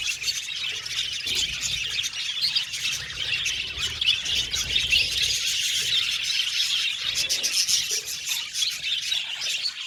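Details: Budgerigar colony in an aviary, happy birds keeping up a constant chattering chorus with harsher squawky notes mixed among the fast high chirps.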